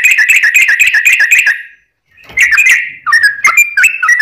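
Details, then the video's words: Sooty-headed bulbul singing a long 'ropel' song meant to provoke other bulbuls into answering: fast burst of liquid, chirping whistles, a short silence, then more varied whistled phrases rising and falling. "trucukan ropel panjang TARUNG PANCINGAN TRUCUKAN agar bunyi JADIKAN burung trucukan gacor NYAUT"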